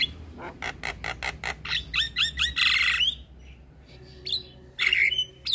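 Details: Javan myna singing a full-fill training song meant to draw out other mynas: a steady series of rasping pulses, then a loud harsh screech, a pause, and more scratchy bursts over a low background hum.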